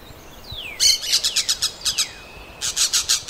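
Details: In a forest, a parrot gives a quick run of rasping, broadband squawks, about eight bursts in under three seconds, after a couple of soft falling whistles.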